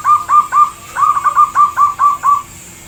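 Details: Loud, powerful cooing of a zebra dove: nine quick, clipped coos at one steady pitch, three in a row, a short break, then six more evenly spaced before silence, with a faint steady hum behind.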